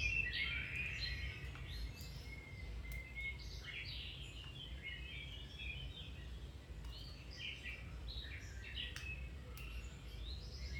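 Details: Domestic canary song meant to encourage a canary to resume or improve its singing; a busy stream of high chirps, slides and short trills runs throughout, with a constant low rumble beneath.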